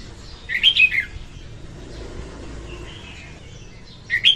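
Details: Singing female red-whiskered bulbul used as a lure for trapping: a brief burst of rapid, rich whistled notes dipping in pitch, then a quiet gap, and another phrase starting at the end.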